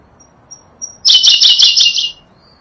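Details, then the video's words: High, rapid twittering burst of about one second from a Sunda blue robin, a bird endemic to Java and Sumatra, recorded as a tutor song for songbirds, preceded by soft thin notes. "Berkecet biru, burung unik dengan kicauan merdu"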